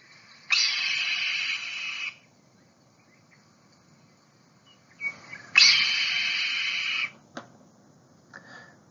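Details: A Red-tailed Hawk, a common hawk in Santa Clara County, gives two hoarse, raspy screams, each about a second and a half long, several seconds apart, with a brief click between them.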